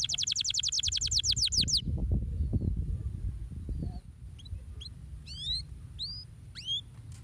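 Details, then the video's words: Canary song meant to stimulate other birds to sing: opens with a fast, even trill of repeated notes for about two seconds, then low rumbling, then scattered upward-slurred whistles over a background hum. "Canaries work well to stimulate the sound of the bird material"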